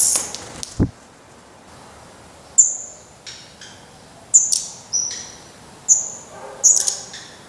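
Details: Black redstart at a nest in Portugal where downy-headed fledglings, after their first flight attempts, are still fed by the parents; thin high whistled notes, each falling slightly, come every second or two between quiet gaps, with one sharp click near the start.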